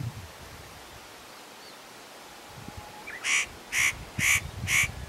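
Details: Spotted nutcracker calling between bouts of preening at Matsunokisawa-no-kashira, unaware of the observer: after a quiet start, four rasping, harsh notes come in a steady series roughly every half second.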